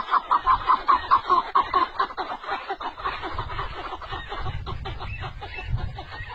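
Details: Partridges of a type thought to be from Pakistan, India or Afghanistan give a quick run of clipped, mid-pitched notes, about seven a second, fading into rougher chattering with voices and laughter behind.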